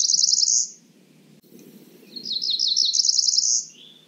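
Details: Cerulean warbler: the end of one song, then a full song of stepped buzzy notes accelerating into a high trill. A softer note trails after the song.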